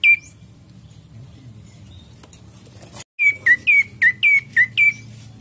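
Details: Ashy prinia song used for luring birds: one chirp at the start, a long quiet gap, then a tight burst of six sharp, slurred chirps.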